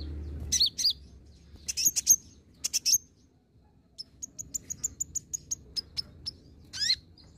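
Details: Olive-backed sunbird (kolibri ninja) lure recording meant to trigger singing: clusters of piercing high chips, then an evenly spaced series of about a dozen thin high tsip notes, ending in a buzzy sweeping note.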